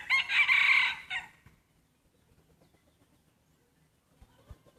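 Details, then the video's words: Prize breeding rooster at a crowing contest lets out a loud, ringing, rough-edged crow of just over a second, then near quiet with a few soft knocks. "Tso qaib sib khav thiab mloog suab qaib qua ua si ประชันเสียงขันพ่อพันธุ์หลักครั้งแรกเสียงขันดีมากๆ"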